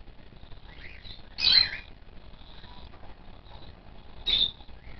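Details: Two loud, harsh, rasping chirps about three seconds apart, like a baby cockatiel's food-begging call during first hand feeding of newly pulled chicks, over softer high chirping and faint background noise.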